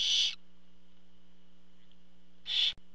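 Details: At a barn owl nest when the father arrives with food, two short rasping hiss-screeches about two seconds apart, with a low steady hum throughout.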